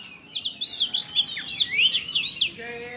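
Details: Oriental magpie-robin singing energetically, used as a lure to provoke other birds into singing; a continuous run of varied high whistled phrases with rising and falling slurs, fading to a faint steady tone at the end.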